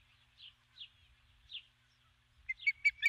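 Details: Female osprey on her nest at dusk, calling for her mate, who does not come; a few soft rising chirps, then a sudden burst of sharp, rapid, high piping notes at the end.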